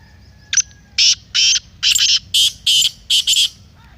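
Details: Black francolin call, offered as a loud voice to excite a kept francolin into calling and masti. A brief opening note, then six harsh, grating, buzzy bursts in a quick, uneven series over quiet background.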